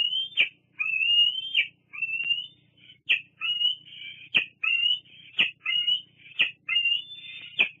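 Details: Bald eagle squeeing at its mother at Fraser Point, August 2022: about eight high, piping whistled squeals, some shorter and fainter, each tipped with a crisp clicking end note, coming in a quick irregular series.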